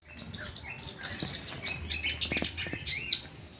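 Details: Sooty-headed bulbul sound used as a lure to rouse other bulbuls into singing: a quick, busy run of high, sharp chirps and twittering notes, ending in one louder arched note, over faint low background rumble.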